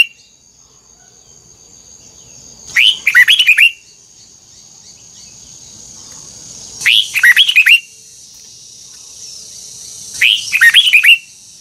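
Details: Red-whiskered bulbul, being trained for a twisting double-note song, gives three similar short phrases about four seconds apart, fast chains of liquid, looping whistles over a steady high-pitched hiss.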